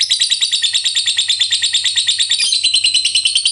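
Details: Lovebird giving long ngekek chatter, used to coax other lovebirds into singing; a continuous, high, harsh trill of quickly pulsed notes, around three per second in loudness surges, holding steady throughout.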